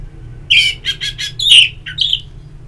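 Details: Orange-headed thrush singing in the ngeplong style, played as therapy audio to stimulate singing; a series of loud, clear whistled notes with buzzy edges, ending in a bright, rising, slurred note, in quiet surroundings.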